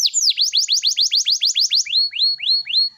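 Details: Canary in full song, played to spur other canaries to answer: about a dozen rapid, loud downward-sliding whistles, then a few slower, lower-pitched rising-falling notes.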